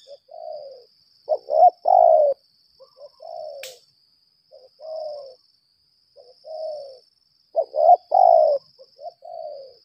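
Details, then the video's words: Decoy spotted dove, 'lambung kuk' type, in a long contest calling bout. It repeats soft, low cooing phrases, some opened by two or three clipped notes before a drawn-out coo. A faint continuous high whine and one brief click are also heard. "pikat ini pandai juga berl4g4"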